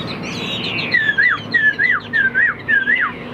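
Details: Chinese Hwamei kept in a cage as a good singer repeats a clear slurred whistle, rising then dropping sharply, roughly every 0.4 seconds.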